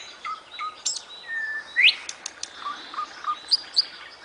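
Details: Nightingale song: sparse whistled notes, one bright upward-sweeping whistle, then scattered short high chirps with pauses between.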